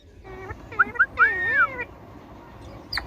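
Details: Indian ringneck parakeet kept as a talking parrot: a short run of harmonic, voice-like syllables with bending pitch, ending in a long arched note near 1.8 seconds, then a faint click.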